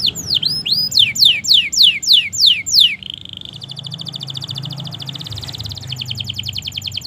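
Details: Canary singing continuously, recorded as master audio to prompt silent and young birds to sing: loud drooping whistled sweeps, a short steady buzzy tone, then a quick, fine, even trill.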